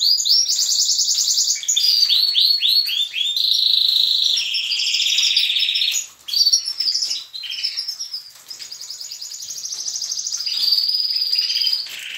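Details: Canary chicks and adult canaries singing together at daybreak in a breeding aviary, a noisy chorus to stimulate the young; busy overlapping trills, fast repeated chirps and rolling buzzy phrases, one brief pause midway.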